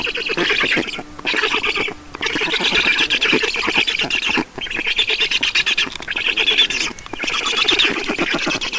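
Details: Black storks at an Estonian nest during feeding, 5 June 2019, 16:28; harsh, wheezy begging chatter in long bursts, broken by brief silences near one, two, four and a half and seven seconds.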